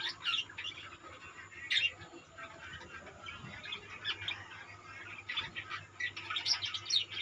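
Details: Budgerigar colony chatter: many birds at once give dense, high, twittering warbles and sharp chirps. Louder squeaky peaks come every second or so, over a low steady hum.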